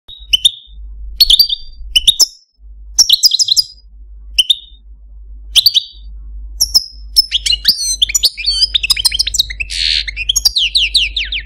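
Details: Caged pet Algerian Parva goldfinch, a male that sang to hens in breeding season, delivering bursts of high twittering notes with slurred whistled phrases, pauses between phrases, then a denser run of buzzy rising trills; faint low hum beneath.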